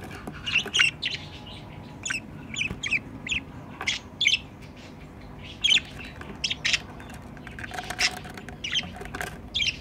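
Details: At the nest box, a pair of pet budgerigars keeps up steady scratchy chirping, many short high notes in quick uneven series, occasional louder squawks between them.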